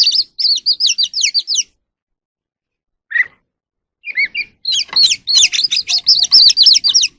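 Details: Evening song of an oriental magpie-robin, which sings while dancing: quick strings of slurred whistled notes repeated nearly three times a second, a gap broken by a few single chirps, then a dense final rush of phrases.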